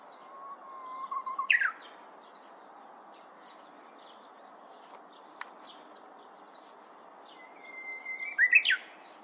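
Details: Korean bush warbler moving busily through bamboo sings twice: first a low, level whistle ending in a loud twisting flourish, then after a pause a higher whistle with the same flourish. Faint distant chirps of other birds continue throughout.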